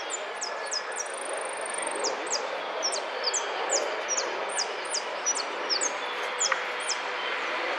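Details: Goldfinch singing a rapid, twittering series of thin, high, downslurred chirps, one long drawn note early on, then quick notes repeating about every half second over a steady hiss of background noise.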